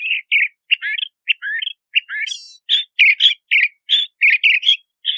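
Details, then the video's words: Crissal thrasher in full song, a rapid string of varied chirps, slurred whistles and rising notes with a high buzzy phrase midway, delivered without pause. "Crissal Thrasher Song! Crissal Thrasher Sound!"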